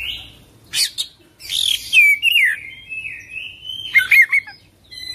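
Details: Oriental magpie-robin in energetic, rolling full isian song. Harsh chips and buzzy bursts lead into a long whistled glide that curves down, then levels off. A twittering cluster and thin high notes follow.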